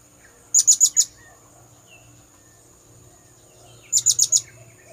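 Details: Lure call of the blue-crowned hanging parrot, used to draw birds in: two bursts of four high, piercing chirps each, separated by about three seconds of near silence and a faint steady whine.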